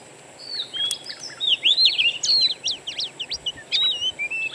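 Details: Wild birdsong played as a lure to get a caged Oriental magpie-robin singing. It starts faint, then brings loud sweeping whistles and a quick series of sharp, steeply slurred chirps with short pauses.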